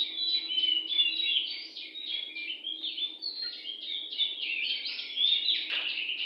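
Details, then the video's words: Near a house, a wild oriental magpie-robin sings very actively, delivering quick chips and clear whistled notes in fast, varied succession, several notes per second, with a steady background hum. "burung Kacer li4r dpn rumah super gacor"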